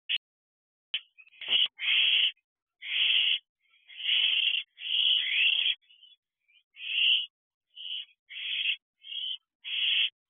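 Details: Wild owlets, ten weeks old and growing independent, at a nest box on a June night around 10:30 pm: a series of harsh, breathy hissing screeches, each about half a second long, given repeatedly with short gaps.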